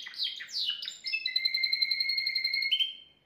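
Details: Timbrado canary, the keeper's best singer, recorded indoors the day before, singing a flawless song meant to tutor young canaries: quick descending chirps, then a long, steady, ringing whistled trill held for about two seconds, ending with a higher flourish.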